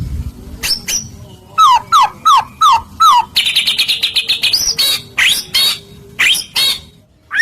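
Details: White-rumped shama song used to trigger other shamas' singing: four evenly spaced downslurred whistles, a buzzy rattling trill, then loud sharp upswept notes in a varied sequence.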